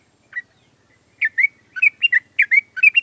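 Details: A caged adult sooty-headed bulbul sunning in the morning after a dew session sings busily in the ngewer style. One lone note comes first, then a fast string of paired, chirpy, slurred whistles rising and falling, loud and clear.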